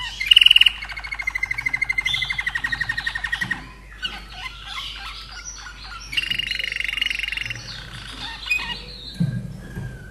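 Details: Austrian common nightingale from 2011 sings: a loud stuttering trill of fast repeated notes, a pause with scattered chips, then another buzzy rapid burst and closing notes, all over a faint low hum.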